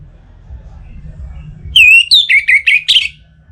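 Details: Orange-headed thrush (anis merah) kept caged in Singaraja, Bali, singing in breeding condition toward a rival. After quiet hum comes one loud phrase of clear whistles, stepping down, then ending in a buzzy flourish.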